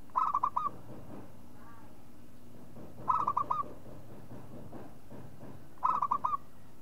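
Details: A local zebra dove gives short, soft, staccato cooing trills of four or five quick notes, repeated about every three seconds over a faint low hum.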